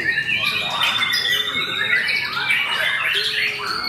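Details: Murai batu, or white-rumped shama, sung in a contest by a podium-placing debut bird; sustained clear whistled tones with buzzy trills and harsh chatter from neighbouring contest birds mixed in.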